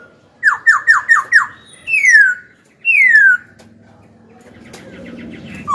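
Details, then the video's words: Young Black-throated laughingthrush song for goading rival birds and coaching young birds: a fast run of five sharp descending whistled notes, then two long falling slurred whistles, ending in soft room noise. "KHiếu tơ hót dìu bổi cực hay. Khiếu hót hay kích bổi đấu, luyện giọng bổi, chim non."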